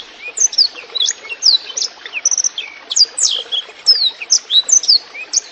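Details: Songbird training recording of a blackthroat singing clearly beside trickling water: quick high whistles, downward slurs and a short steady whistled note, delivered in rapid bursts.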